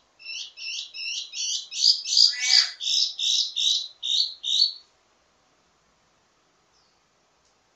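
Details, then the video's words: Wambi mini singing a ledekan (teasing) song, used to tutor birds of its kind: a fast run of about a dozen bright, high chirped notes, swelling in loudness midway and then stopping, followed by silence. "Ledekan Wambi mini Full Gacor Banyak Vareasi"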